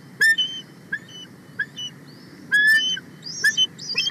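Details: Excited female bald eagle at the nest, 31 March 2024, calling loudly while a sub-adult eagle passes close by: clipped, high whistled chips, single and in quick pairs, separated by brief pauses over a faint steady background hiss.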